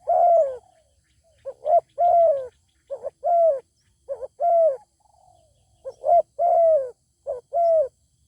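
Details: Zebra dove calling back at a wild bird that stays away rather than fighting; rounded cooing phrases, paired short notes leading into a longer drooping coo, repeated several times with brief gaps, near-silent background.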